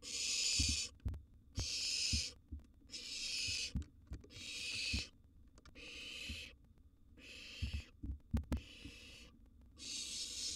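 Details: Wild barn owl nestling in a monitored nest box at mealtime with a sizeable gerbil, giving long harsh hissing screeches roughly every second and a half, with thumps and scuffling between calls.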